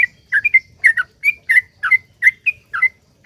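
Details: Sooty-headed bulbul singing in a long unbroken run, used to coax other bulbuls to sing: crisp paired whistled notes, rising then falling, repeated briskly.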